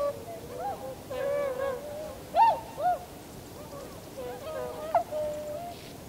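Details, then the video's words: Wintering Tundra swan flock on 7 February 2015, giving scattered soft hooting and bugling notes of varying pitch, some arched and falling, over a steady background hum. "コハクチョウ "Cygnus columbianus" の鳴き声。"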